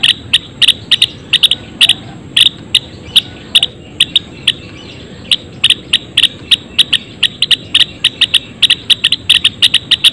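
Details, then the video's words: Colony-caged Java sparrows produce a continuous patter of sharp, short chips, irregularly spaced and sometimes doubled, over soft background noise and a persistent thin whine. "Suara Kicauan Gelatik Belong Di Kandang Koloni!"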